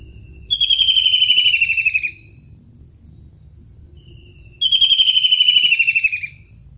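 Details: Long-tailed shrike in the wild repeating a harsh, buzzy, rapidly pulsed rasp twice, each lasting about one and a half seconds and spaced roughly four seconds apart, over faint low rumble.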